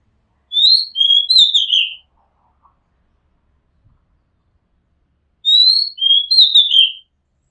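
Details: Oriental magpie-robin singing from near a home rooftop, two repeated phrases roughly five seconds apart, each of sweet whistles sliding down into a husky trill, with faint clicks between.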